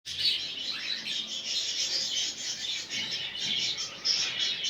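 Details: Budgerigar chatter played to encourage a male to mate: dense, continuous warbling and chirping high in pitch, several birds overlapping with sharp clicks and squeaky notes throughout.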